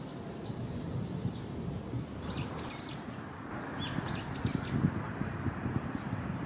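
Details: Leaf warbler singing on 1 May 2015: short high, slurred downward notes delivered in quick bursts, set against a steady low rumble of background noise.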